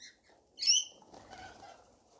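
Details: Rainbow lorikeets feeding in a frenzy; one loud, harsh, slightly descending screech stands out, followed by quieter, blurred chatter and rustling.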